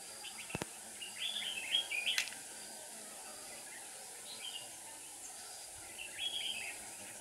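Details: Red-whiskered bulbul used as a decoy during bird trapping on 7 April 2019, singing to lure wild birds: short warbled, slurred phrases in scattered bursts, a sharp click near the start, steady background hiss.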